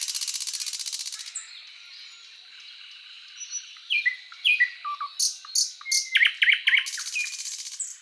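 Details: {'__c': 'Thrush Nightingale song with a dense opening rattle, quiet interlude, then a run of loud clipped notes and a final buzzing trill.'}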